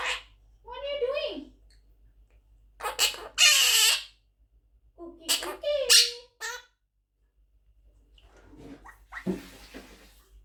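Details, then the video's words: An 11-month-old monk parakeet (Quaker parrot) chatters in speech-like phrases broken by harsh, raspy squawks, with several bursts over ten seconds and quiet gaps between them. "Quaker Parrot Talking | Parrot Speaking"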